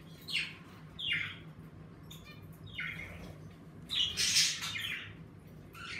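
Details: Pet budgerigars in an indoor bird room, livelier with warmer weather, give scattered squawks and chirps at moderate volume, with a noisier chattering burst around the middle and a low hum throughout.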